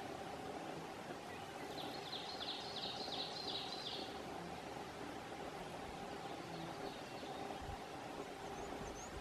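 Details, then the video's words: Alder Flycatcher (Empidonax alnorum) giving its two-note call at Umbagog National Wildlife Refuge, Oxford County, Maine, on 18 June 2016: a quick run of short, high, sharp notes, then fainter repeats, over a steady low road-like hum. "Alder Flycatcher (Empidonax alnorum) Calling (two note call)"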